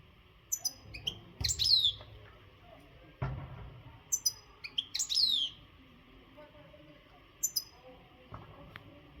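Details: European goldfinch of the Maghreb type, an untrained bird singing with power in breeding readiness. Short clusters of high tinkling notes with descending sweeps recur every few seconds, and a few soft knocks sound between them.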